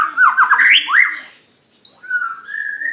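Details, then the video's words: White-rumped shama from Aceh singing hard, tail open. Rough, rapidly modulated chattering notes lead into a rising whistle, and after a pause come a high sweep and a long, level, slightly rising whistle. "murai batu aceh gacor kesurupan kapas tembak buka ekor"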